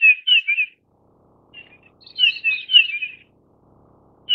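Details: Grey-headed Bullfinch of the Taiwan endemic subspecies owstoni, a high-mountain bird found above 2000 m: a quick cluster of three clear, piping notes, a soft pair, then a longer run of about six descending notes.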